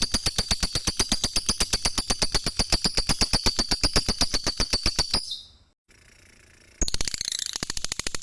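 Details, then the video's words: A lovebird sings a sustained rapid trill of sharp, high, regularly spaced pulses for about five seconds. A brief cut to near silence follows, then the chattering trill resumes. "suara lovebird merdu"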